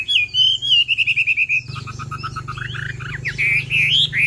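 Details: Chinese hwamei, female singing to stimulate a male: a fast series of clear whistled notes, then a jumble of varied twisting whistles over a steady low hum.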